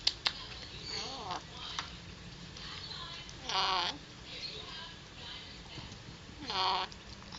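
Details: Male pet Alexandrine parakeet, three years old, talking indoors and a little shy: two louder, strongly harmonic word-like bursts about three seconds apart, with fainter chattering sounds before them, against a quiet room hiss.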